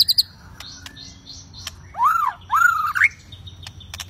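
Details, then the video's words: White-rumped shama in a fighting mood, used to provoke others: two loud arched whistled notes, the second longer and rising, over faint high chips and a low background hum. "Murai Batu Ngamuk Rekomended untuk Pancing MB lain ikut Gacor + Fighter"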